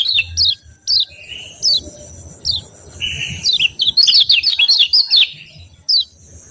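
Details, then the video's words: High, piercing "ciak" chirps from a yellow white-eye (kecial kuning) come roughly twice a second, falling in pitch, mixed with short flat buzzy notes, building to a dense rapid twitter and ending with single chirps. "CIAK CIAK JOSS NYEPEED KECIAL KUNING"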